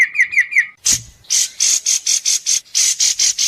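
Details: White-rumped shama at an Indonesian song contest, judged for sharp besetan mimicry: four quick falling whistles, then a burst of evenly spaced high rasping notes, about four per second.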